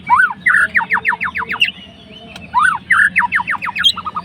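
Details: White-rumped shama, a fighter bird, singing to stir up a rival. Two phrases, each a rising whistle followed by a rapid run of six or seven falling slurred notes, with a pause between them.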